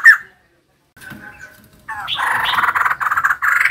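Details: Female white-crested laughingthrush: after one sharp note and quiet calls, it breaks into a steady run of raspy, rhythmic chattering laughter.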